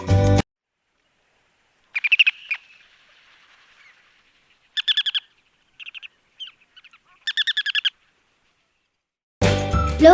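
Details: Ruddy turnstone (Arenaria interpres) in Sri Lanka gives three quick, staccato chattering rattles with a few short single notes between them; brief bursts of music open and close the recording.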